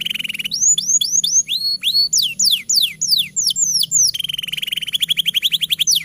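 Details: Long canary song used to lure young and quiet canaries into song: a buzzy note, hooked rising whistles, sweeping downslurs, then a steady rapid trill of rising notes to the end.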